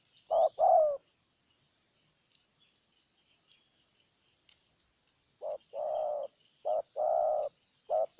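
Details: Spotted dove used as a decoy bird to lure a wild dove, from Ninh Thuận, Vietnam, giving low hollow cooing notes in a short pair, then a pause and a run of several rounded coos in uneven groups; faint high chirps behind.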